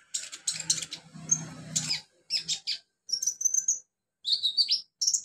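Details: Olive-backed sunbird in the wild: high chirps and a short warbled trill after a noisy, scratchy opening stretch with low rumbling, the later notes clean and high-pitched.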